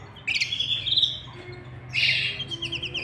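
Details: Domestic canary pair, a male and female together while chicks are fed inside the nest; two bursts of bright, high chirping notes, the second ending in quick repeated ticks, over a steady low hum.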